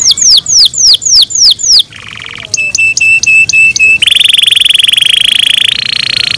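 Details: Canary song in the morning: fast rolls of downward-sweeping high notes, then a buzzy trill, a row of clipped ringing notes, and a long rapid rattling trill held steady at the end.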